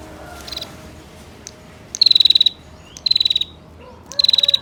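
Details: Female bar-winged prinia's long-running ticking call meant to provoke males to call; three loud, dense, high-pitched rattles of rapid clicks, about a second apart, with a faint earlier burst.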